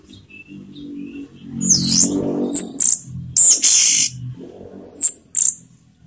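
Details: Orange-headed thrush in the 'teler' song style, used as a lure to raise emotion and breeding urge; shrill high whistled and buzzy notes in uneven bursts, with a murmur of lower background sound underneath.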